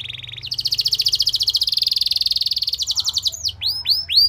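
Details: Canary lure song meant to get other canaries singing, mainly a long, rapid, even trill with a buzzy quality, shifting pitch once, ending in a few separate arched whistles.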